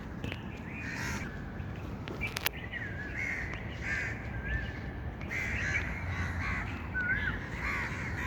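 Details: Several hoarse caw-like bird calls spread irregularly through the recording, some louder and some distant, with a few sharp clicks and steady outdoor background noise.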